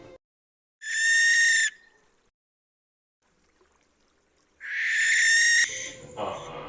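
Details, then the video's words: Barn owl giving two harsh, hissing screeches, each about a second long and a few seconds apart, with a brief rustle after the second. "Here's an example of what a barn owl's call sounds like."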